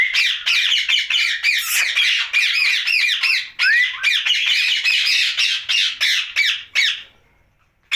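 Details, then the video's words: Rose-ringed parakeet at night, a pet bird chattering in quick, scratchy squawks with a single rising whistle woven in, trailing off to quiet just before the end. "Night Talking parrot Mitthu Ringneck"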